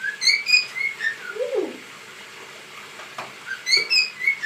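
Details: Cockatiel whistling as it dances, short rising and falling chirped notes at start and end with a quiet gap between, plus a lower sliding coo-like sound in the middle.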